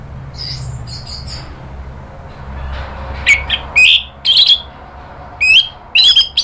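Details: Lure song of the orange-headed thrush, used as therapy for birds that have stopped singing: soft, high notes at first, then loud, clipped whistled bursts of two to three notes, repeated roughly every half second.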